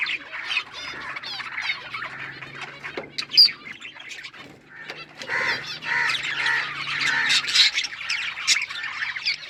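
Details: Budgerigars, Australian parrots kept as pets, give rapid rippling warbles and trilled chirps, quieter at first, then swelling into a dense chorus of overlapping chatter.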